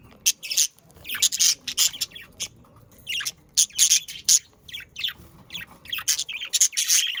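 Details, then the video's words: High, clicky budgerigar chatter from pet birds: rapid scratchy ticks and squeaks in uneven clusters across several seconds. Meant to prompt pet budgerigars to start singing. "Sounds of Australian parakeets to stimulate your parakeets to sing"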